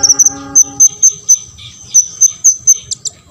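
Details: An olive-backed sunbird, meant to provoke rival sunbirds into song, gives clear, very high whistled notes about four times a second, ending in two buzzier chips. A low, steady tone sounds at the start.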